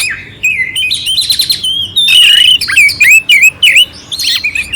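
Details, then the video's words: Clear oriental magpie-robin song with coarse fill notes for tutoring and exciting a dull magpie-robin. Starts softly with rattling buzzes, then turns into loud looping whistles and sharp dipping notes. "Suara Kacer Jernih isian kasar Cocok untuk masteran untuk menaikkan emosi kacer dingin"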